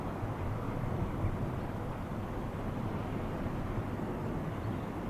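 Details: Even, featureless outdoor noise like distant traffic or aircraft, with no animal call anywhere.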